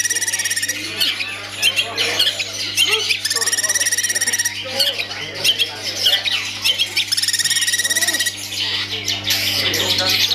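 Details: Caged long-tailed shrike singing a mix of harsh grating notes broken by long high buzzy rattling trills, several times in succession, against a steady background hum.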